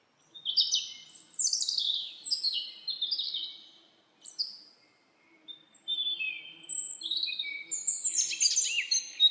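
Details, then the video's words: Birds singing in a forest, with loud high warbling phrases and quick chirps, a short quiet gap, then resumed busy twittering with overlapping high notes. "Birds singing // Forest of birds relaxing your Mind"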